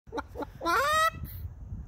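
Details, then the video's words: A cockatoo imitating a chicken. Two short clucks are followed by a longer, rising, nasal squawk, then fainter rustling. "Cockatoo Thinks he is a Chicken"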